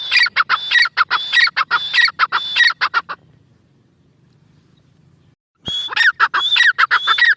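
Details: Repeated harsh, ringing phrases from a grey francolin (Irani teetar) come about twice a second for three seconds. A quiet gap with faint low hum follows, then the same loud whistled phrases start again.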